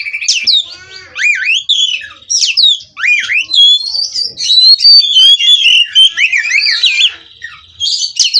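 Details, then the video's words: Kacer, the Oriental magpie-robin, bred in captivity, singing without stopping in 'ngerol' style: zigzagging whistled notes, wavering slurs and quick mimic-like phrases strung continuously together. "Kacer Ini Ngerol Tanpa Henti"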